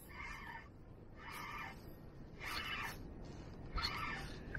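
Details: In June 2021, near Amager in Denmark, a goosander that had been caught on a fishing line and then freed gives four drawn-out, nasal, slightly harsh calls about a second apart. Its uneasy mate waits nearby, and a steady low rumble of wind or water runs underneath.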